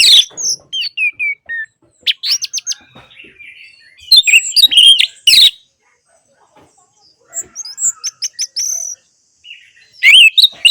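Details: Song of an orange-headed thrush, used as playback to stir quiet birds into song: scattered clusters of sharp whistles, chirps and high squeaky slurs, separated by short silences.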